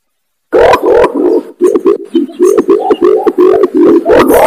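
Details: Imperial pigeon calling, used as a lure for wild pigeons: a drawn-out deep hoot followed by a quick, steady run of loud low throaty notes.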